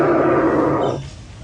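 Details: An Australian bustard, likely a male, gives a deep, rough, lion-like roar lasting about a second, strongest in the low-mid range before fading out.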